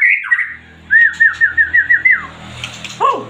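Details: White-rumped shama in full, high-energy song: a slurred opening whistle, then a run of about eight quick, evenly spaced whistled notes, closing with a falling squeaky note.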